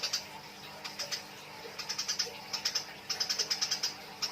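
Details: Eurasian tree sparrows fighting, giving short, sharp chirps in small groups of two to six, spaced irregularly, above a faint background hum.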